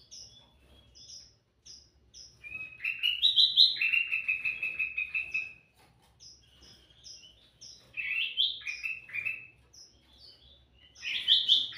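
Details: Sooty-headed bulbul singing energetically as a lure for other birds: high, thin peeping notes repeat about once a second. They are broken by a long phrase of rapid, even chirps, then shorter bubbly bursts.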